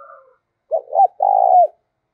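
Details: Spotted dove used as a decoy. It gives a soft two-part coo followed by a longer, level, hollow coo that drops slightly at the end, with silence around the notes.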